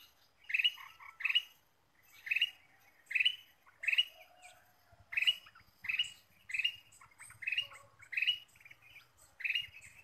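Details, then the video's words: Lure recording of a chatty ruby-throated bulbul: about a dozen clear, bubbly notes in ten seconds, coming in pairs and singles at a steady pace, with a faint low rumble in the second half. "PIKAT KUTILANG EMAS GACOR"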